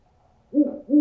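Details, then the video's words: Owl hooting, offered as a sound to scare birds: after half a second of quiet, two low, steady hoots follow closely, the second cut off at the end. "Owl Sounds To Scare Birds"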